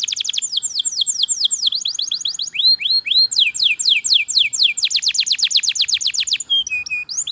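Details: Long canary master song: rapid rolls of down-slurred whistled notes shifting between several distinct trill types, some slower rising phrases, and a short flat tone near the end.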